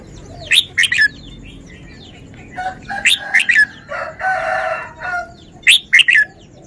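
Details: Red-whiskered bulbul performing its song style: repeated loud three-note phrases, with a harsher buzzy call from another bird in the middle and distant chirping throughout.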